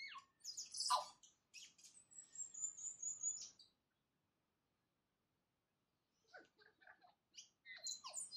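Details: Tui greeting the new day with bright squeaks and a long high thin whistle, then silence for over two seconds before another burst of clicking, chattering notes.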